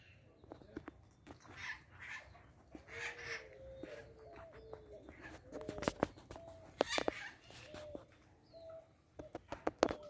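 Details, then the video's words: Scaly-headed parrots enjoying guavas, afternoon of 17 April 2022 at 16:50; brief rasping squawks repeat irregularly, alongside soft tonal whistles from another bird and sharp clicks. "Maritacas se deliciando com goiabas"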